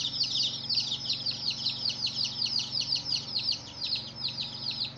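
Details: Chicken chicks of a hen chirping together: a dense, continuous chorus of high, thin peeps, many overlapping and repeated roughly every third of a second, with a faint low hum underneath.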